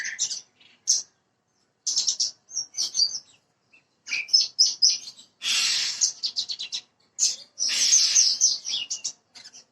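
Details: Bushlark, branjangan parva, in a recording meant to get birds singing fast: short bursts of high chirps and whistles, then two longer, dense buzzy trills with scattered notes between.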